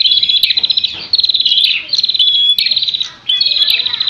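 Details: Prinia during a fight: bursts of fast, buzzy, pulsed chattering, separated by short gaps, with sharp clicks between the bursts.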